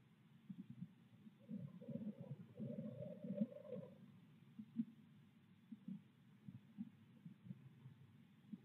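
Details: Barred owl pair in Midtown Tulsa, 8 February 2022, hooting and giving monkey-like chatter before a visit: low, rough hoots and cackling notes in irregular bursts, with a short run of higher wavering notes near the start.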